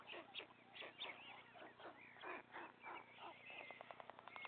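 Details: At a white stork nest, the father feeds his three remaining chicks: rasping, squealing calls rise and fall, ending in a fast, even series of clicking pulses over a constant low hum.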